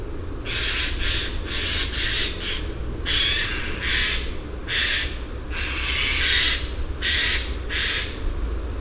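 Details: Eurasian jay in oak woodland giving harsh, rasping screeches in bursts of varying length, about ten within nine seconds, over steady low rumbling background noise.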